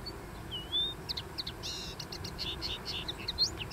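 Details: Common linnet singing on a dune: a rising whistled slur, then a quick, varied twitter of short chirpy notes and trills, high and bright, over a faint low background rumble.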